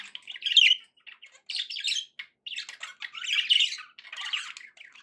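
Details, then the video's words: Chattering budgerigars, said to be happy, make bursts of raspy warbling and clicky chirps separated by short silences, louder phrases around the start and middle. "happy budgie sounds"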